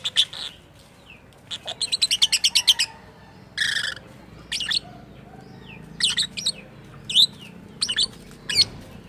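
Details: Strange-sounding lovebird, said to imitate a human voice, gives a rapid train of clipped chirps, then a buzzy rasp and scattered sharp squeaks and squawks at irregular intervals.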